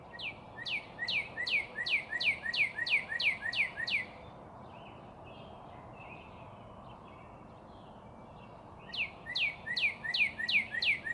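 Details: Northern cardinal repeating a rapid phrase of sharply falling whistles, about three a second for several seconds, then a long quiet gap with faint distant chirps before the same whistled burst resumes.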